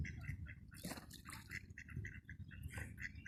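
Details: At 8 pm on 23 May 2022 at Princess Park, Eastbourne, UK, a black swan gives short, high chirping notes, several each second, while a white swan "snores" and ducks quack over a steady low rumble.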